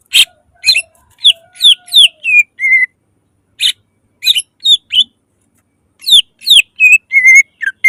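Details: Greater green leafbird's loud song meant to get other leafbirds singing: clusters of sharp rising whistles and buzzy notes separated by short silences, with a faint low whistle early on.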